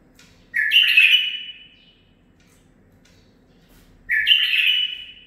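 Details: Nine-month-old male bulbul, a tutored offspring that learned 'zilzal' song phrases, singing two rich warbled phrases about three seconds apart, each a burst of rapid fluty, slurred notes followed by quiet in a small room.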